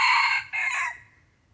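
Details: The close of a red junglefowl's crow, recorded as the bird is lured with a decoy: a harsh note breaks, then a second strained phrase drawls and fades away.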